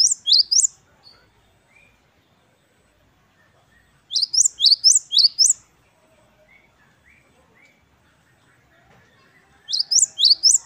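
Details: Gelatik batu wingko (Great tit) in full gacor song, the wucit-wucit kristal style. Three bursts of four or five sharp, high rising whistles are separated by pauses of several seconds. Faint low background rumble.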